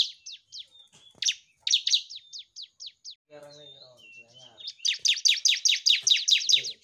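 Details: A bar-winged prinia (Prinia familiaris) sings as a master song for training birds, giving fast, high, sharp chirping notes in rapid series and ending in a dense burst; a brief low human voice is heard midway.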